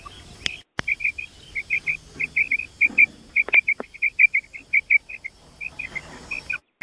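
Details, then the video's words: Female common quail (batair) gives a quick run of soft, high chirping notes, about four or five a second, some paired, with a few clicks and handling knocks. "female batair sound"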